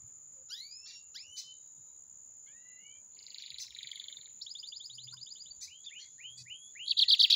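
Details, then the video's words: Lined seedeater, apparently caged, singing in the metralha style: sweeping rising whistled notes and short buzzy trills, then a dense rattling trill and a loud rapid machine-gun burst at the end, over a steady high electronic whine. "BIGODEIRO METRALHA"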